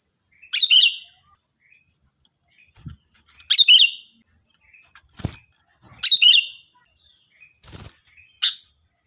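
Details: Loud, shrill song of a lively sooty-headed bulbul used to teach other birds: strong bubbly phrases about every two and a half seconds, mixed with several dull knocks and a short final note.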